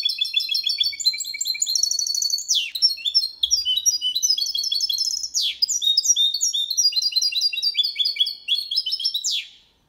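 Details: Goldfinch × canary hybrid singing a clean Malaga-style song, used to stimulate male goldfinches and hybrids to sing and young birds to memorise; rapid continuous twittering of repeated high notes and trills with sharp sweeping glides, nonstop over ten seconds, no other sounds.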